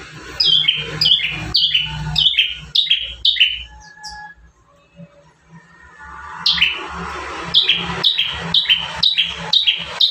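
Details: Bar-winged prinia in full, constant song, one of five variations used as a master for caged birds: rapid runs of high notes, each a bright whistle sliding down into a buzzy tail, about two per second, a pause, then another run.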